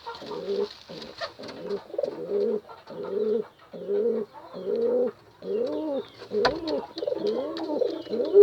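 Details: Pigeon calling a female with repeated low, arched coos, moderately loud, over a noisy background with faint higher tones.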